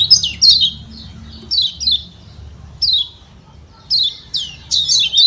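A lemon-bellied white-eye gives sharp, high, downslurred chips in short bursts of two or three, roughly once a second, over a faint low hum.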